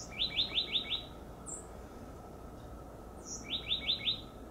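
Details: Perched high, an oak titmouse repeats fast chattering phrases of four or five slurred notes, each phrase about a second long, with thin high notes between them and a low constant hum.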